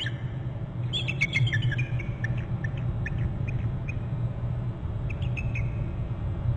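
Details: Two wild bald eagles calling together near their Hornby Island nest as one lands on a short left branch; a burst of high piping chirps early, then sparser thin notes, over steady low-frequency rumble.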